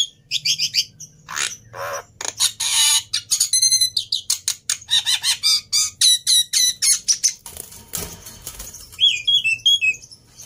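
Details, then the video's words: Black-winged myna song meant to stimulate mynas that have stopped singing: a jumble of harsh rasping notes, stacked buzzy calls and sharp chips, ending in a series of quick downslurred whistles, over a low background hum. "Burung Jalak Putih Gacor || Cocok Buat Pancingan Burung Jalak Mandek | Macet Bunyi"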